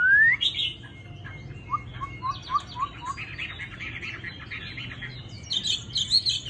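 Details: Tamed Chinese hwamei, described as having a fine, gentle singing voice, opens with a loud rising whistle. A run of short, evenly spaced mid-pitched notes follows, then bursts of brighter, buzzier warbling.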